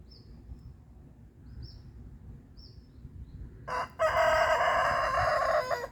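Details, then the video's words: Morning crowing of a rooster marking his territory, part of a run of 17 crows; brief high bird whistles precede one loud, rasping, drawn-out crow lasting about two seconds, with steady low background hum throughout. "Inyue rooster crows 17 times."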